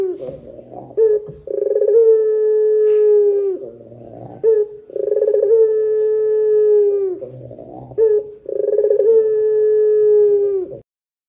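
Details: Three evenly spaced coos from a Barbary dove, long 'pelung' style used as a lure for other doves: each opens with a soft low grunt and stuttering pulses, then stretches into a steady sustained hoot about two seconds long.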